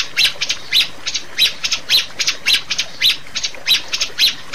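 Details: Rio-rio bird on a master recording meant to lure caged birds into song. Loud, raspy squawks repeat roughly twice a second, each followed by softer clicking notes.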